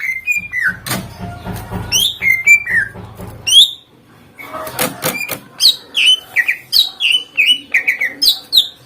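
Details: Greater green leafbird song meant to make other birds answer: rapid sequence of clear whistled notes, many sharply falling slurs from high to mid pitch, with sharp clicks and a low hum in the first half.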